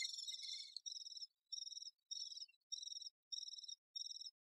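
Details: Great spotted woodpecker busy with its young: a longer buzzy burst, then six or seven short, harsh, high-pitched bursts repeated evenly about every half second.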